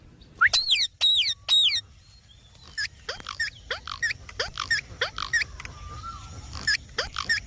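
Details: Pet Indian ringneck parrot vocalising while talking: three loud harsh squawks, then a string of quieter short clicking notes at about one per half-second, plus a soft whistled glide.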